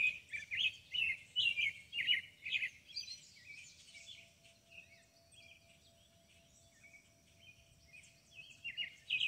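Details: Birdsong from a hackberry tree in Kentucky countryside: bursts of fast chirped and warbled phrases at the start, a quieter pause, then the twittering returns, with a soft wind-chime tone behind.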